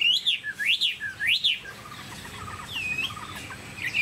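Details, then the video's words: Tame Chinese hwamei, described as 99% pure and showing stable form, sings three loud, slurred whistles that rise and fall in quick succession, then softer, lower twittering notes. "Hoạt Họa Mi"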